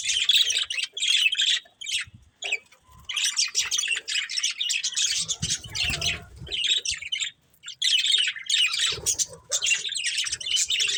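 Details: Long run of budgerigar chatter from a breeding pair: rapid, raspy chirps and twitters in extended bursts, pausing briefly twice, with soft low handling thumps midway.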